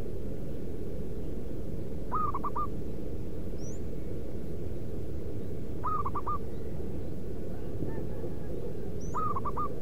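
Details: Local zebra dove in the wild, its call used to attract other doves: three mellow coo phrases, a long opening note followed by rapid staccato notes, about every three and a half seconds, with faint high chirps from another bird and low background hum.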